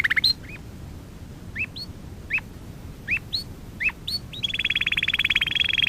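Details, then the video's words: Canary singing during song training, a series of separate up-swept whistled notes spaced irregularly, then a fast buzzy trill of rapidly repeated high notes at the end. "Kanarya sesi kanarya eğitim/1 canary sing"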